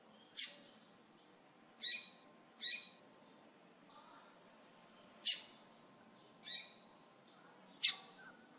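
Double-collared seedeater giving six short, harsh, high chip notes, spaced unevenly one to two and a half seconds apart, over a quiet background.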